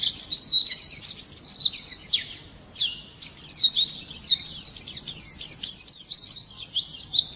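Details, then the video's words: Swinhoe's white-eye in morning song, pouring out an almost continuous high-pitched twittering warble of rapid slurred notes, with one short break midway before the chatter resumes. "Nghe chim khuyên hót hay mỗi sáng"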